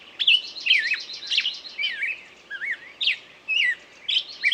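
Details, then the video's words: Twittering bird song: wavering whistles, quick trills and sharp upslurs strung together irregularly, pauses between bursts, faint hiss behind. "пение птицы"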